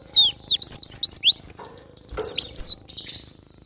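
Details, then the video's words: Java sparrow, a wild bird singing actively: bursts of clear, high, sweeping notes that drop and rise, delivered in quick runs of five or six, a pause, then a second tinkling run with a few softer rustling sounds. "Super gacor burung glatik batu liar"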